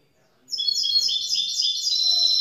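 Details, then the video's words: Young grey-blue goldfinch mule hybrid bursting into song: rapid, high, jangling twitters and trills after half a second of quiet, with faint low background sounds underneath. "Jeune mulet chardonneret gris bleu"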